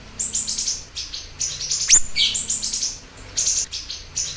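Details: Lively siri-siri bird song for luring and tutoring other birds: clusters of high, thin tweets, broken by one sharp whistled sweep near the middle, then more chirp bursts.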